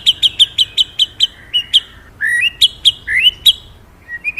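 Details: Magpie-robin singing loud, gacor song: a run of about eight sharp whistled notes at a steady fast beat, then varied rising slurred whistles and chips, with a quiet background.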